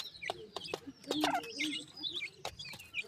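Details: High, quick chirping from pheasant chicks as they feed, short downslurred notes mixed with loud clicking taps.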